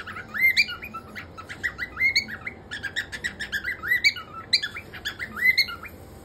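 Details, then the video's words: A male cockatiel whistles busily, a rapid run of rising, slurred notes mixed with sharp chirps, in quick phrases across several seconds, with nothing else heard. "whistling cocktail"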